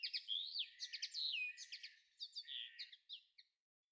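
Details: Linnet singing in May 2013: quick nasal twitters and slurred whistles run in a loose chatter, then fade to a few soft chirps and stop.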